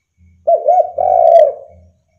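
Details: Spotted dove calling to draw other doves into answering; a single phrase of two quick, wavering coos and a long, smooth, drawn-out coo, with a faint low hum underneath.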